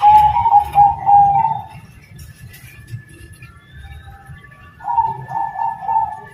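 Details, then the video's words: Bangkok-type zebra dove singing actively in the terasan style: two phrases of rapid, pulsing mid-pitched coos, each about two seconds, separated by a quiet pause, over a steady low hum. "Perkutut Bangkok Gacor Terasan Suara Syahdu"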